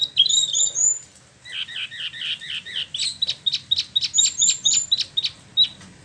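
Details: Spot-throated Babbler, caged and imported from China and Vietnam, in Bandung, Indonesia: high looping whistles open, then lower paired notes and a rapid row of sharp chips at a steady quick pace.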